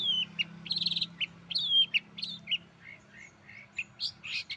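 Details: Long-tailed shrike (cendet) imitating a canary, mixing a descending whistle, short buzzy trills and scattered chirps at irregular spacing, with a steady low hum throughout.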